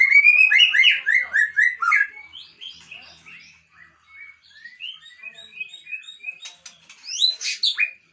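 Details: Super-fighter white-rumped shama of the Aceh type opens with a loud burst of rich, varied whistles, softens into spaced clear notes, then ends with a strong high flourish.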